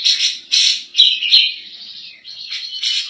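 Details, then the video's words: Cak jenggot, the grey-cheeked bulbul, in 'nembak' song for training other birds: harsh, loud chattering bursts about every half second, with a few clear whistled accents in between. "Cak Jenggot Gacor Nembak Cocok Buat Masteran"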